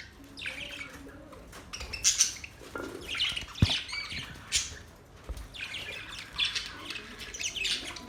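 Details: Budgies giving mating calls: bursts of bright, scratchy chirps and squawks, heard as clusters separated by short pauses, with wing flapping and some low thumps between.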